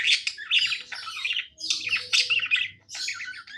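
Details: Pet budgerigar singing cheerfully in loud, rasping bursts of chatter and shrill squeaks, three main phrases with short breaks, faint hum beneath.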